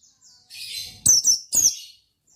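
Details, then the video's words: Brief Oriental white-eye ngalas phrase: a soft buzzy warble rises into two loud, high, falling chips, the first doubled, with faint twittering fading after. "Suara Bikin Pleci Gacor Ngalas Dengan Burung Pleci Gacor NGALAS INI"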